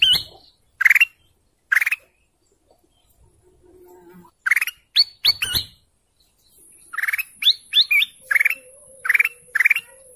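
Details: A golden canary gives bright rising chirps, singly at first about once a second, then in quick clusters of several sharp notes, with near silence between phrases and a faint low whistle under the later notes.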